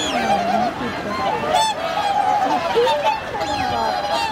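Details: Crowd of wintering swans calling on Hyoko lake in Niigata, Japan, 8 January 2022; resonant horn-like honks, some sliding upward, overlap continuously, with a lower wavering call near the start.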